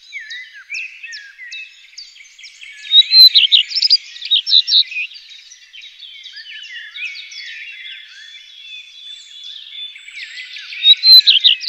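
Common redstart song: bright, high twittering phrases, with louder bursts near the start and again at the end, over a steady chatter of other small birds.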